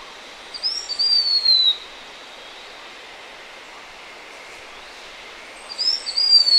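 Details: Blue-winged minla calling: a thin, high whistled phrase that slides downward, heard twice about five seconds apart, with quiet background between.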